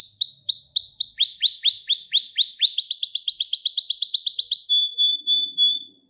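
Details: Gloster canary song for training youngsters and stirring males, with repeated downward-sliding notes speeding into a fast, even trill and ending on a short whistle.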